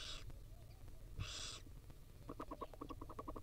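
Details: Two harsh breathy hisses from tiny wild barn owl chicks as the female feeds them, followed by a quick run of soft regular ticking notes over a steady low hum.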